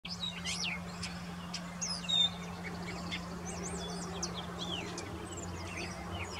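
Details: A grey catbird singing on a branch about 15 metres away in Desbarats, Ontario, gives a rambling run of varied squeaky, slurred and chattering phrases in quick succession, over a steady low hum.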